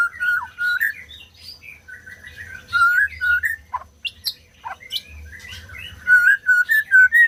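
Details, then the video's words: Song of a white-rumped shama, played to get silent birds singing: varied loud whistled phrases mixed with sharp high chips and dropping notes, ending in a series of rich repeated whistles. "SUARA MURAI BATU BUAT BURUNG MACET BUNYI"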